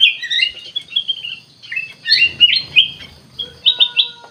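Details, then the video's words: Bulbul, local name kutilang emas, singing: warbled slurred phrases, a burst of loud chirps, then short clear whistled notes near the end, with a faint steady tone in the background. "KUTILANG EMAS GACOR COR COR"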